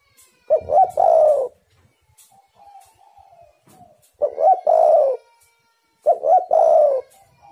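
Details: Spotted dove calling to draw in wild doves. Three phrases of clipped hoots end in a long mellow coo, with quieter, softer dove notes murmuring in the gaps.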